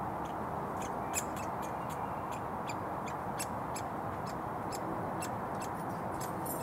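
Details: A hungry woodpecker fledgling being fed in a front garden beside a road in Surrey, June 2022, gives a long series of short, sharp ticking calls at irregular intervals, with heavy traffic noise underneath.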